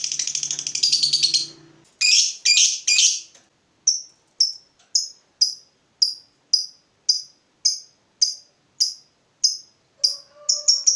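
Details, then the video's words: Heated fighter lovebird: a brief fast high trill, a few harsh chirps, then a long run of short, clipped high "ngetik" ticks repeated about twice a second, ending in quicker bursts. "Lovebird FIGHTER terpancing Panas, nyaut Ngetik lanjut Ngekek Panjang"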